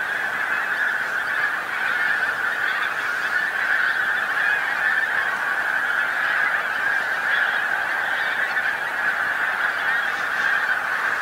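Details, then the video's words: Dense gathering of pink-footed geese on farmland by the North Norfolk coast, England, as the sun sets; constant overlapping honking from a large flock, even in loudness throughout. "Pink-footed Geese North Norfolk"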